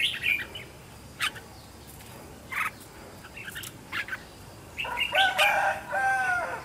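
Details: Red-whiskered bulbul used as a decoy to attract wild birds, trained at home to sing fired-up: isolated short chirps at first, then a loud run of clear, ringing warbled notes closing the recording.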